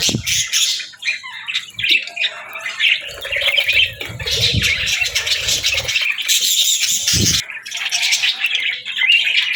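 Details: Several budgies chatter during feeding time, a continuous mix of bright chirps, warbles and harsh squawks, with occasional low knocks and rustling in the background.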